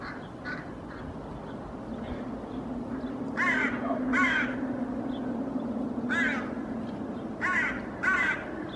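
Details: Hooded crows in Helsinki, Finland, on 8 May 2024, calling to chase away a common raven hidden behind a cliff after it tore apart a feral pigeon carcass; harsh caws in irregular bursts, some doubled, over low steady background hum.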